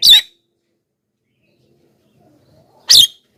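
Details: Javan myna lure call: two loud, grating screeches nearly three seconds apart, separated by silence.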